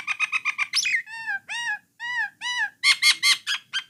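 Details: Jalak Nias, or Jalak Coklat, starling song used to make other starlings sing: a fast burst of chips, a rising squeal, four arched whistled notes about half a second apart, then loud harsh chattering notes.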